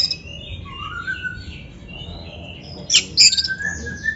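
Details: Oriental magpie-robin (kacer) singing for use as a training master: soft, drawn-out whistles in the opening seconds, then a loud cluster of sharp, high, rapid notes and a level whistle.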